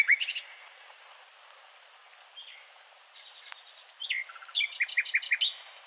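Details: Nightingale song in scattered phrases: a loud opening flourish, then quiet gaps with occasional slurred whistles, ending in a fast run of repeated bright notes and upward-swept whistles against light background hiss.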